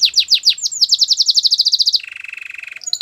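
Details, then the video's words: Belgian canary song for training: downward-slurred whistled notes speeding up into a rapid even trill, switching to a lower buzzy trill, and ending on a couple of high sharp notes. "Your canary is silent ? turn it around so it will sing a long | Belgian canary"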